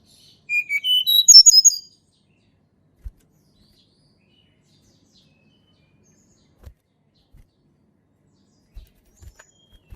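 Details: Sunda robin natural song, used as a lure for reluctant singers: one short burst of whistled notes stepping upward in pitch, then near silence with a few faint clicks.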